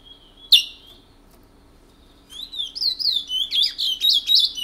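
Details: French Guiana picolette singing the regional Matiti style in the morning: a sharp tap and a drawn-out whistle, then from midway a fast, rising and falling string of chirped, slurred high notes that continues to the end.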